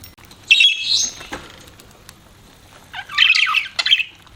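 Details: Two bursts of budgie chatter, a buzzy chirping phrase early on and another squeaky, warbling burst after a quiet gap of about two seconds.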